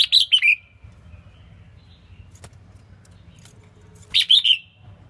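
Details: Female red-whiskered bulbul song, meant to excite males: a fast run of bright chirps at the start and another similar burst about four seconds later.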